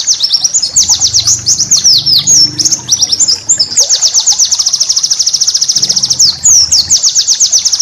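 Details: White-eye training song for caged birds, full of special bursts: jumbled quick high twitters give way to a long, even, very fast pulsed trill, then more downslurred chips, faint hum below.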